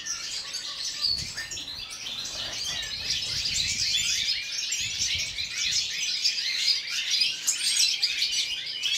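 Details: In winter cold of minus four degrees, several European goldfinches sing in an aviary; constant high chattering twitters and rapid warbled notes, with some soft low rustling in the background.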